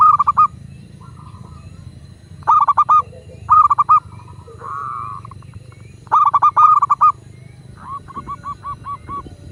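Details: A local zebra dove, recorded to prompt other doves to call, gives several phrases of rapid rolling coos. A softer drawn-out note sits in the middle, and a quieter run of evenly spaced coos comes at the end.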